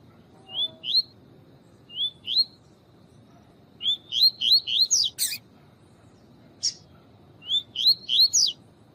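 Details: Double-collared seedeater, tui-tui song style, male with a female chirping to excite him, recorded as training audio for tournament birds; short rising whistled 'tui' notes in pairs and runs, with a few sharp clicks and a low steady hum.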